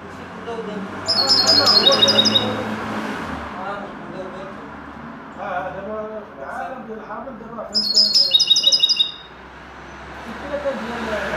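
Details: Common linnet trained to sing in the style of a goldfinch: two bursts of bright, high, rapid twittering trills about six seconds apart, each lasting around a second, over a steady low background hum and murmur.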